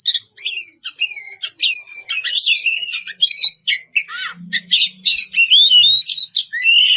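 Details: White-rumped shama (kacer) singing loudly to call an opponent: a rapid, varied run of whistled, rising and falling notes mixed with harsh buzzy bursts and chatters, continuous with brief pauses.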